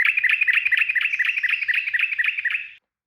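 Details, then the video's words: Fast, continuous 'ropel' song from a sooty-headed bulbul: dense, evenly pulsing bubbly chirps running for nearly three seconds before stopping abruptly into silence. "SUARA TRUCUKAN ROPEL GACOR"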